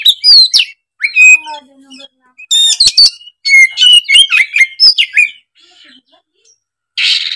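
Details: Kacer, or oriental magpie-robin, singing hard and unloading its repertoire: a long run of varied whistles, upward slides and rapid chatter, fading into soft notes before a final harsh rasping burst.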